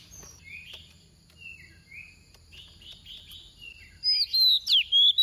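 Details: Oriental magpie-robin female decoy bird in 'tìu tíu tiu' song, used to stir other birds into singing; soft scattered whistles and slurs, ending in a loud run of sharp, rapidly repeated whistled phrases.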